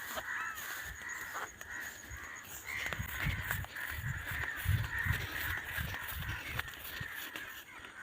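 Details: Many crows calling together near a field around sunset, a chorus that had gone on for about half an hour; harsh, overlapping caws form a dense, continuous layer, with low thumps and handling noise underneath.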